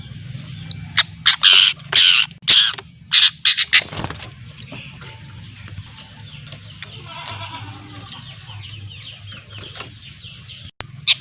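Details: Young long-tailed shrike (cendet) from Lampung learning to sing (ngriwik), used as a lure; bursts of harsh, buzzy notes in the first four seconds, then quieter scratchy chatter and a low background hum.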